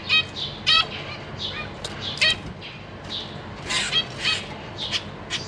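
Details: Busy cage of zebra finches, parents feeding three juveniles and three newly fledged babies, 14 April 2023; many overlapping nasal harmonic calls and softer chirps from several birds, coming irregularly throughout.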